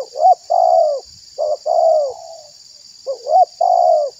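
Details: Lure recording of a spotted dove to trap wild doves and make them respond: clipped rising notes then a long mellow coo, the phrase repeated twice with a faint high electrical whine throughout.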